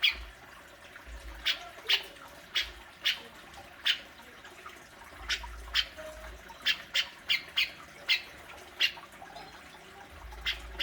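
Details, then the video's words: Grey-cheeked bulbul besetan meant to stir a kept cucak jenggot into calling: irregular sharp, grating squawks scattered across the clip, clustering into quicker runs toward the middle and end over low background noise. "Burung cucak jenggot,besetanya luar biasa"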